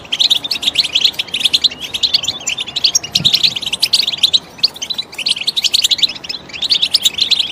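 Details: A goldfinch sings a high, jangling medley of quick chirps and buzzy trills in long running phrases, broken by a short lull around four and a half seconds, with a faint dull knock in the middle.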